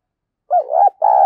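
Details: Brief fragment of a spotted dove lure call (gọi mồi, thúc bổi): a wavering hollow coo, a short break, then a steady sustained coo that is cut off.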